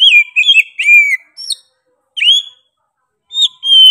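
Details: Oriental magpie-robin in sharp, insistent song. Slurred whistles sweep downward in a fast cluster, then come isolated upslurred notes. A steady drawn-out whistle closes the phrase.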